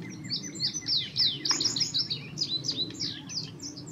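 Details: Indigo bunting (Passerina cyanea) song from a bird still in incomplete molting plumage, just arrived that week: a rapid string of high, sharp, sweeping notes, many seemingly in pairs, over a low hum.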